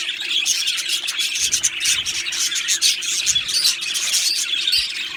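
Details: Australian budgies chirping in an aviary colony, loud dense twittering of quick high notes and clicks from many birds at once, a few soft low thumps in the background.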